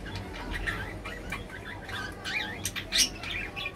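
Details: Pet budgerigars, called lovebirds and Bajri parrot. Soft warbling chirps and short twittering notes overlap continuously, with one sharper, higher chirp near the end over low background rumble.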